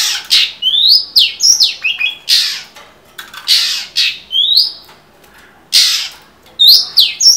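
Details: Long-tailed shrike singing energetically, used as a tutor recording for training all kinds of songbirds: harsh, scratchy bursts mixed with short rising whistles and sharp high notes, delivered in quick irregular phrases with brief pauses.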